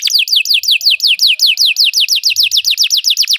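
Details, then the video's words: Belgian canary song for training canaries to sing, a loud sequence of evenly repeated descending whistled slurs, roughly five per second, clean and unbroken. "Belgian canary singing makes your canary sing"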